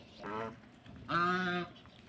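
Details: Domestic geese from Netrakona kept in Tangail, Bangladesh, at egg-laying time, which call this way when strangers come. Two short nasal honks, a faint one then a louder drawn-out one, over quiet background.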